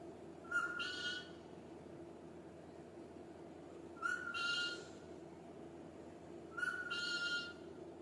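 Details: A talking pet rose-ringed parakeet gives three short utterances a few seconds apart, each a steady whistled note running into a harsh, raspy burst, over a low indoor hum.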